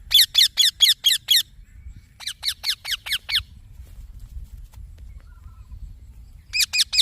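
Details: Baby green parrot uttering bursts of shrill, scratchy chirps, six then five in quick succession, followed by a long quiet stretch and a final short burst.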